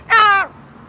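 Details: One harsh, nasal squawk from a Moluccan cockatoo outdoors on a patio in the evening, about a third of a second long and slightly falling at the end, then quiet background.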